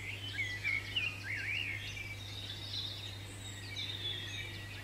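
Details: European Robin in a UK garden singing a run of thin, liquid, high warbling phrases, rising and falling, over a steady low hum.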